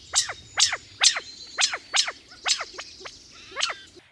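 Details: California quail alarm call at Pepperwood Preserve, California: a run of about eight sharp, clipped 'pit' notes, roughly two per second, high and slightly descending, against a quiet background.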